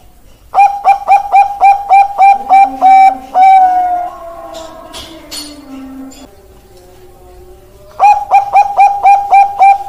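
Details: Perkutut Bangkok, a zebra dove, gives a rapid run of about ten clipped, liquid coos closed by a long held note. Softer low sliding notes follow, then a fresh series of quick coos starts.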